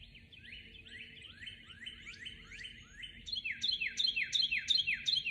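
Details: Dawn chorus, 12 March 2021: a bird repeats short falling chirped notes at a steady quick rhythm, first softer and distant, then a louder nearer series of bright downslurred notes.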